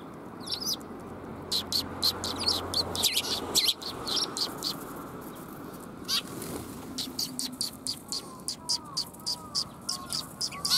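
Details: Sparrows gathering for food on 20 March 2021 make bright, clipped chirps, scattered at first and then steadier and more regular near the end, with soft twittering notes underneath.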